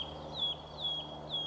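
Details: Eurasian nuthatch at a nest in an old woodpecker hole, in established woodland at Brandon Marsh, Warwickshire, UK, on a March morning: three short, high, down-slurred calls about half a second apart over a thin steady high whine, with robins around.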